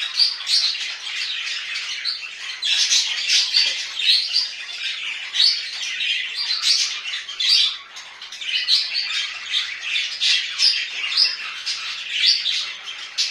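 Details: Budgerigars kept indoors chatter continuously, high raspy squeaks and twittering notes merging into a busy, uneven babble with louder swells every couple of seconds.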